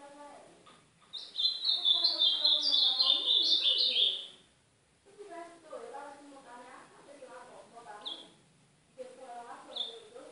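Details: Northeastern-style song of the ultramarine grosbeak, played to warm up and train a young bird: a loud three-second run of fast high warbled notes, a pause, then scattered lower chirps and short high whistles.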